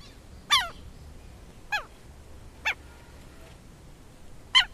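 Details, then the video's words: Southern lapwing giving widely spaced harsh calls, each note sliding downward, about five separate notes scattered through the recording against a faint background hiss. "Canto do QUERO-QUERO"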